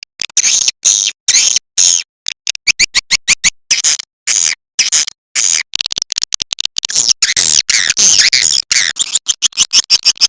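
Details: Swiftlet call recording used as a lure by Indonesian swiftlet farmers: rapid, clipped bursts of high, scratchy twittering chirps, about two a second, sharply chopped between silences.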